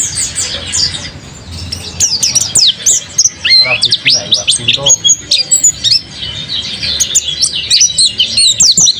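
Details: Energetic song of a kept mountain white-eye, a dense jumble of very high twittering notes and rapid slurred chirps, briefly punctuated by lower chattering notes mid-way, then more scattered sharp chips toward the end.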